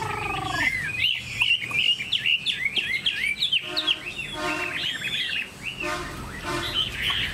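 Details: Caged, tame Chinese hwamei delivering a fast stream of chirpy, twisting whistles, opening with a brief lower harmonic note, then bursts of buzzy, rattling notes laced into the song.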